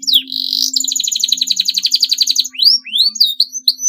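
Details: Canary in long song used to provoke rivals: a sweeping whistle opens a fast, steady rolling trill, followed by rising whistled slurs, with a faint low steady hum behind.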